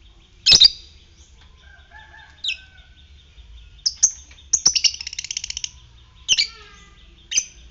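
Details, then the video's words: Lure recording of a fighter lovebird meant to provoke ngekek trilling in other lovebirds: piercing high chirps, then a fast buzzy rattle of about a dozen clipped notes, followed by more sharp single calls and faint softer twitters. "Pancingan lovebird ngetik fighter merangsang ngekek"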